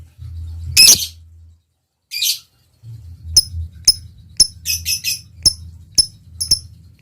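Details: Lovebird in active singing form: two short raspy high chirps, then a series of sharp high ticks, some doubled, about twice a second, over a faint low hum.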